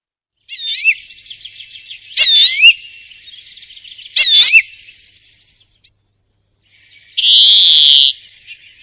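A European Greenfinch gives a twittering run of looping, rising notes with two louder bursts, then a long, drawn-out nasal wheeze near the end.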